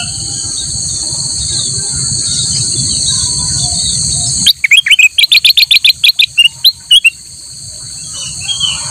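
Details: Black-headed bulbul, kept as a master singer for training other birds, giving a rapid run of sharp, clipped chirps about two and a half seconds long, over a steady high electronic-sounding whine and low rumble.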